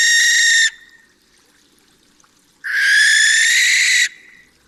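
Barn Owl giving two harsh, hissing screeches, a short one then a longer drawn-out shriek, with no hooting and only quiet background between.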